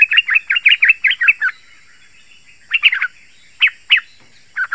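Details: Yellow-vented bulbul song meant to lure wild bulbuls and prompt caged ones to answer: a fast run of chattering, bubbly notes, a short pause, then scattered warbled phrases.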